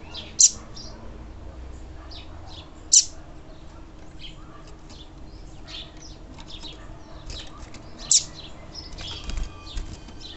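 A female Double-collared seedeater gives three sharp, high chips spaced several seconds apart, over faint, thin chirping throughout.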